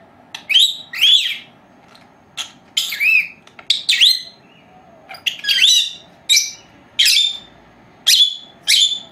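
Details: Two female lovebirds aged four months, pets dozing through their siesta indoors, make a rapid irregular series of high harsh chirps and squeaks, sometimes paired, over a faint low background hum.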